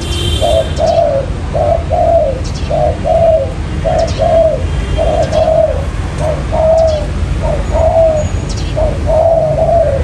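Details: Spotted dove calling as a trapping lure: rhythmic pairs of mellow coos repeated throughout, a few phrases longer and rolling, with scattered clicks and background hum.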